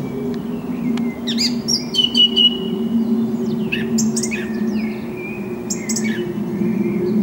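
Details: Song thrush (Turdus philomelos) song on 6 April 2010, Canon HF200 camcorder: varied phrases of clear whistles, sharp clicks and falling slurs, each motif given two or three times, over constant low rumble.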